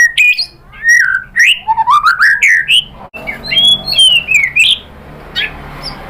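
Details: A white-rumped shama pours out a varied lure song to goad other birds into singing: quick sweeping whistles rising and falling, dense at first, then a slower run of slurred descending notes fading out.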